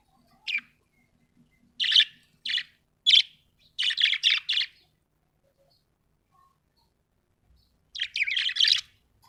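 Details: Happy budgerigar chirping: short scratchy high chirps, single at first, then clustered bursts of three or four rapid notes, with a final busy flurry after a quiet gap; otherwise silent background.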